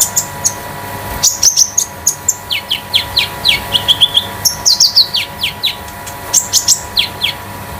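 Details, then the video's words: Konin sunbird kept at home as a tutor bird, singing a lively run of high metallic chirps and repeated descending slurred notes, delivered in quick clusters. "KONIN DAMER METALIK LEPAS TROTOL"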